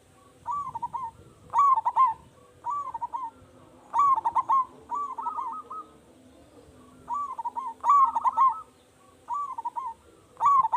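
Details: Local zebra dove singing loudly as a lure for other zebra doves; a steady run of short, rolling, bubbly coo phrases about once a second, some louder and more tremulous, with low steady background noise.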